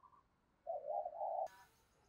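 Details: Spotted dove used as a decoy, cooing to lure wild doves: one low, hoarse coo phrase of about a second, followed by a burst of broadband noise.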